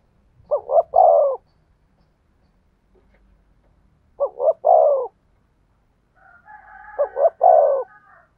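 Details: Spotted dove song in the "thổ sấm" style: three phrases, each of two short coos and a long, falling croon, spaced a few seconds apart. A faint whistling tone overlaps the last phrase.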